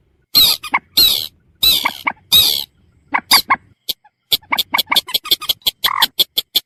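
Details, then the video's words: Common moorhen calling: a series of long harsh, noisy squawks followed by rapid short clucking notes, irregular and ending in quick staccato pulses; no other sounds. "suara burung mandar batu"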